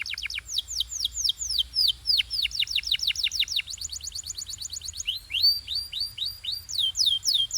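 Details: A canary sings pure Belgian style, with clean, loud, fast descending whistled sweeps repeated several times a second. The runs shift in pitch and speed, with brief rising slurs near the end.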